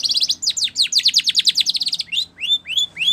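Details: Training song of a Spanish Timbrado canary: a quick buzzy trill, a fast run of descending sweeps at about three per second, then a few slower ringing upslurred whistles.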